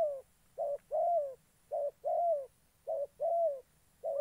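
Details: Decoy spotted dove from Gia Lai, Vietnam, used in trapping, repeating paired coos: a brief low note followed by a longer, slightly rising-then-falling coo, about four pairs, steady rhythm, faint high whine in the background.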